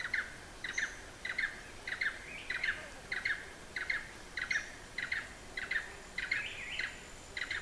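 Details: Blue-eared barbet (Psilopogon duvaucelii) recorded in Hala-Bala Wildlife Sanctuary in the far south of Thailand: rapid paired notes, each a short burst of two or three clipped, ringing tones, repeated steadily about every half second throughout.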